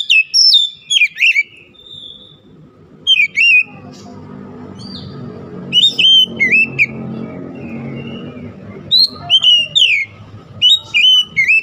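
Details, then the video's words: Oriental magpie-robin (kacer) song for raising emotion in other kacer: short loud bursts of falling whistles and chirps scattered through the clip, over a steady low mechanical rumble. "KICAUAN MENAIKAN EMOSI KACER"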